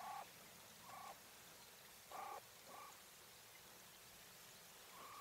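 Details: English White Coturnix hen quail uttering short, soft tonal notes in scattered pairs about a second apart, over a steady low hiss.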